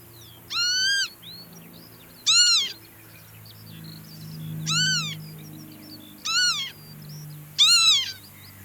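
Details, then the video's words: Northern lapwing in the wild giving five strong, harmonic, rising-then-falling 'pee-wit' cries at irregular intervals, with faint distant lapwing notes and a low background rumble. "Northern Lapwing Sound – Song & Bird Calls"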